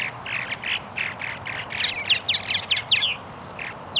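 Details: Purple martins at a colony in Melbourne, Florida, chatter in a steady stream of gurgling, croaking notes, with several birds overlapping in quick bursts.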